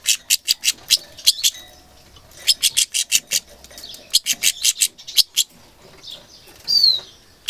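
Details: Goldfinch mule in an angry mood, 2 June 2011: spaced sharp chips in clusters, a brief rising whistled note near the end and low background murmur.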